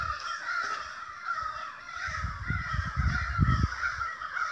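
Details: A noisy gathering of crows, excited by something unseen, keeps up a wall of raspy overlapping caws. Low thumping, like wind or handling noise, comes in toward the end.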